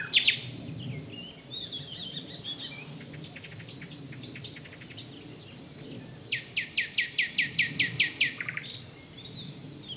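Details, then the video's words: A common nightingale sings sharp opening notes and scattered varied phrases, then a loud accelerating series of about a dozen repeated, high, ringing notes, with a soft background hiss. "Zingende nachtegaal"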